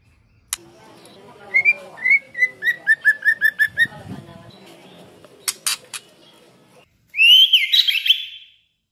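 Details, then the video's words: Female white-rumped shama singing in a wild, forest-style voice: a run of about eight clear, slightly falling whistles, a few sharp clicks, then a loud, rich warbling burst at the end. "tiếng chòe lửa mái rừng hót hay kích trống hót"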